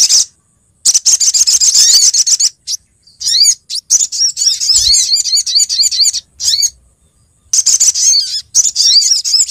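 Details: Luring call of a female Brown-throated Sunbird summoning the male: long, rapid bursts of high twittering alternate with upward-sweeping chirps, with occasional short silences.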